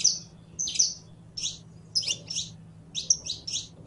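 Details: Saffron finch, known locally as canario criollo, singing a series of short, bright, high chirped notes in paired bursts, spaced irregularly, with a faint low hum behind.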